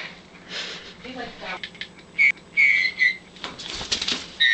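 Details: A male Meyer's parrot gives short, clear whistled notes in quick bursts while attacking and ripping the fur off a stuffed toy bird, over scratchy rustling and faint voices.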